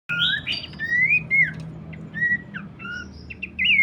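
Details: Abbott's babbler song: clear whistled notes, some sliding upward and others dropping, with a few overlapping phrases and short chips. A steady low hum runs underneath.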